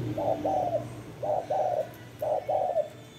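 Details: Spotted dove cooing three times: each phrase a brief hoot and a longer warbling note, about one second apart, with a low hum in the background.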